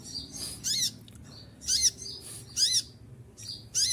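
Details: Olive-backed sunbird during moult delivering five piercing bursts of quick, high, descending notes, interspersed with faint thin whistles.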